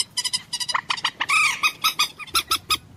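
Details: Common moorhen giving quick paired harsh notes, then a drawn-out croaking call, followed by more spaced single clucks at a brisk pace.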